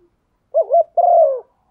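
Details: A single cooing phrase of a female spotted dove urging the male: a brief wavering double hoot, a short pause, then a smooth, long, slightly falling low coo.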